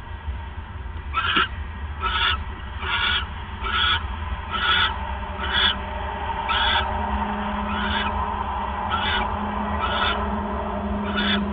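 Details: Owl recorded at night on December 28, 2014, as the male delivers a third mouse; about eleven rasping, screechy bursts repeat roughly once a second above a constant low droning hum.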